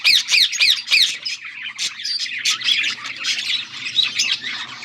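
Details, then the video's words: Budgerigars calling, recorded August 14, 2024: opens with quick repeated bright chirps, several per second, then shifts into rough warbled chatter and squawky notes. "Budgies sounds for lonely birds birds chirping sounds"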